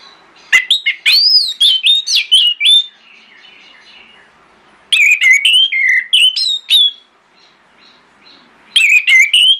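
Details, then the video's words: Orange-headed thrush singing in the morning as a lure for other thrushes to answer; bursts of rich, varied whistled phrases, sliding and warbled, in three bouts separated by short pauses. "PANCINGAN ANIS MERAH PAGI HARI|| ANIS MERAH LAIN AUTO NYAUT"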